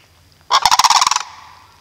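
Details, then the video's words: At Reifel Bird Sanctuary, sandhill cranes let out one loud, gargling, pulsed bugle lasting about three quarters of a second, its rapid beats blurring into a rough rattle before dying away. "sandhill cranes at riefel bird sanctuary"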